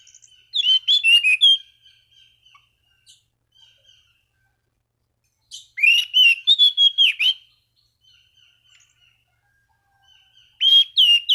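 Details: Energetic orange-banded thrush song meant to provoke rival thrushes into singing; three dense bursts of rapid, chattering whistled notes, with soft scattered notes trailing between them.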